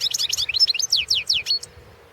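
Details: Goldfinch entered in the 2016 world goldfinch song championship delivers a quick run of high, bright, downward-sweeping whistled notes, about a dozen in under two seconds, then falls silent.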